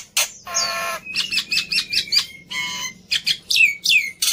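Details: Black-winged myna fighter, agitated and used to tutor silent mynas: a long grating screech, then choppy scratchy notes and two clear descending whistles, about two to three elements per second.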